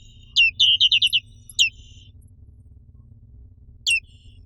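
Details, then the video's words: A black-capped white-eye, endemic to Indonesia, gives a rapid run of about six high chirps, one more slurred note, then a lone chirp after a two-second pause; steady low hum behind. "SUARA BURUNG PLECI BLACK CAPPED"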